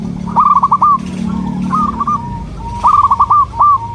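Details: Local zebra dove with a soft melodious song, used as a lure: two bright bursts of quick staccato coo notes with softer cooing between, over a low background hum.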